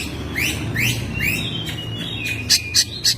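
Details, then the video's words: Oriental magpie-robin at home in May, singing busily. Three rising upswept whistles come in quick succession, then a thin level whistle and three loud sharp high clicks. "Burung Kacer gacor rumahan spesial bulan mei"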